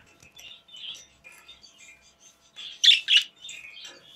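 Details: Pet budgies playing in a cage, giving soft, warbling chirps and chatter throughout, with two louder, sharp chirps in quick succession midway.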